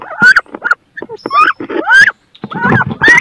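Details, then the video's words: Female wood ducks fighting inside a nest box, both wanting to lay there, utter quick upslurred squeals mixed with rough grunting noises and bumps. "CANARD BRANCHU (Carolin) 2 FEMELLES VEULENT PONDRE DANS CE NICHOIR / MOMENTS FORTS / CRIS"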